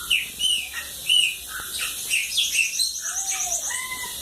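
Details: Bananaquit singing in the cachorro louco song style, from lagoa d'água in a home recording; a fast, high, hissing trill run among sharp descending chirps and whistles, with other birds calling.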